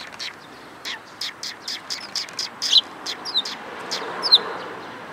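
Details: Sparrows gathering for food on 11 April 2022, on the outbound walk: sparse, short high chirps spaced roughly every half second to second, a few thin sharper notes among them, over quiet ambient noise.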